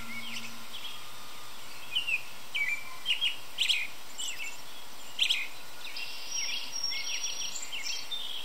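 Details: An American robin high in a tree in early evening sings brief, clear, warbled phrases in short bursts with pauses, fairly faint over a steady background hiss.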